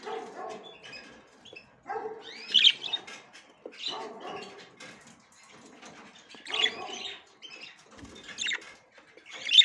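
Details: Female budgerigar checking the nest for the first time: clusters of harsh, scratchy chirps roughly every two seconds, mixed with rustling and movement noises.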